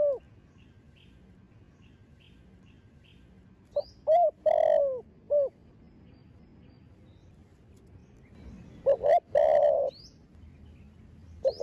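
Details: Young thổ đồng-style spotted dove from a thổ sấm line giving its stimulating coo: two separated phrases, each a few clipped hoots building to a long, full, slightly falling coo; quiet thin chirps elsewhere.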